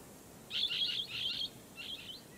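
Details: Blue-headed parrot calling in raspy, metallic bursts: two long grating phrases back to back, a brief pause, then a shorter scratchy note, with faint steady background noise.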